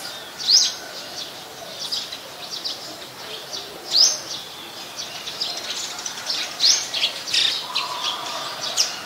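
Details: Adult Common Tailorbird, resident bird of Ubon Ratchathani, Thailand, recorded 8 February 2021, repeating a sharp upward-swept high note at irregular intervals amid continuous chirps and twitters of other birds.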